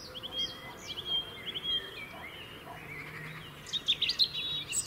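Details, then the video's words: Quiet, distant robin song in the UK, sung to defend winter territory: scattered thin high whistles and short slurred notes over steady background noise, growing louder with sharp twitters near the end. "Beautiful song of Robins"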